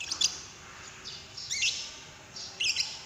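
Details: Fainter lovebird lure calls meant to trigger another bird's singing: three brief clusters of thin, high squeaky chirps over a soft hiss.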